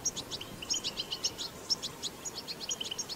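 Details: Wild goldfinch giving the strong batbata song: rapid, high, bright chirps and short buzzy trills following one another quickly, with a sharp piping accent midway.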